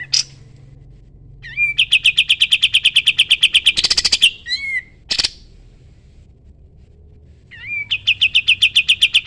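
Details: Sooty-headed bulbul singing in the 'tembak' (shooting) style used to train songbirds: a rapid string of clipped repeated notes, then a few harsh burst notes and a slurred whistle, and after a pause another quick repeated run.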